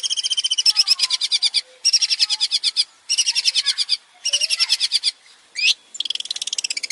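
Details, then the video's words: ['Male long-tailed shrike in full, varied song, played to encourage other birds to sing; bursts of rapid high rattling trills about a second long, separated by short pauses, ending in a rising squeak and a fresh trill.'] "PANCINGAN BURUNG CENDET GACOR BANYAK VARIASI"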